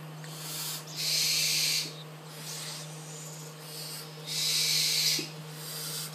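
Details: Food-begging hisses from a captive young tropical screech owl raised since the egg: two loud, drawn-out breathy hisses with quieter ones between, against a steady low hum.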